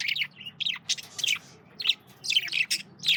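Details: Chattering male budgies eating carrots, with rapid high chirps and little warbled squeaks tumbling over one another almost without pause.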